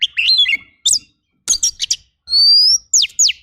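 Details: Oriental magpie-robin rough fill-in training song: a twisting whistled phrase, then crisp chips, a long steady rising whistle and two fast downward-slurred notes, separated by brief silences.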